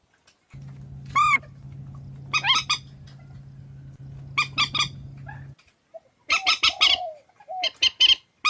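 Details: Swamphen calls compiled as a trapping lure: a few loud, harsh, nasal squawks in short bursts, then a tight run of rapid clucking notes with a low hum behind the first half.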